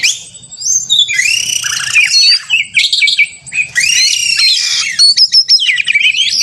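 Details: Combative oriental magpie-robin song recreating a contest to stir caged birds into singing: long harsh rasping phrases broken by fast staccato chips and thin piercing whistles, delivered in loud blocks with brief pauses.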